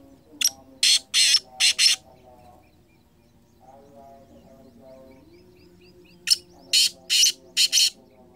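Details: Black francolin (kala teetar), 2023, calling twice. Each phrase is about five harsh, rasping bursts in a fast stuttering rhythm, with a pause of several seconds between phrases. Faint lower sounds murmur in the background.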